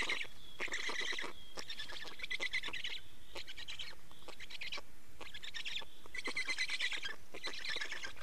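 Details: Nest of black storks in Estonia during change and feeding, 24 May 2019 afternoon: repeated blocks of quick buzzy, grating pulses about a second long, evenly spaced, with a thin whistled tone between some bursts.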